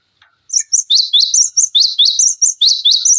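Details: A continuous burst of cinereous tit song, used to train other songbirds: a dense, steady string of rapid, high, piercing chirps, roughly two to three notes per second, running for nearly three seconds.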